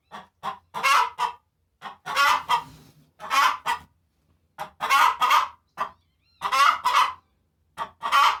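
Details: A Bourguiba hen cackles after laying an egg, a sound said to show her joy at laying. She gives loud, harsh, squawking bursts in uneven runs, with each long cackle followed by short clucks. There are pauses of about a second between the bursts.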